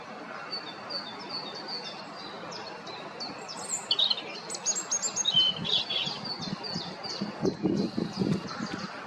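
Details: European robin singing close by to hold territory and keep contact, a stream of high, clear, varied notes and short trills, with low background rumble and a soft murmur near the end.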